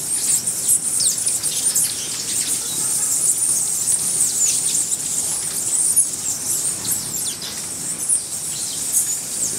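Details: High, needle-thin squeals and tiny chips from white-necked jacobin hummingbirds at the Buenaventura Reserve in Ecuador, scattered unevenly through the recording above a continuous high hissing band.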